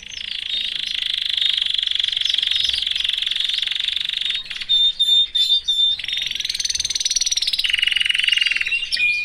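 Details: Nine seconds of unbroken canary trilling from a caged male with his family, the roll changing tone and speed several times without pause.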